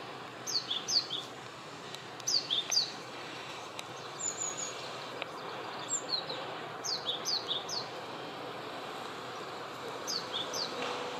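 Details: Male Japanese tit calling in a mandarin orchard, heard as several short runs of high, descending two-note phrases, two or three per run, separated by pauses, with a few faint sharp chips and soft background hiss.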